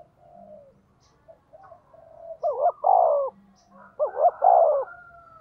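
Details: Decoy spotted dove of the 'giọng thổ' voice type, calling to provoke wild doves. A faint soft coo leads into two louder phrases of quick rising notes and a long falling coo, with a low hum behind.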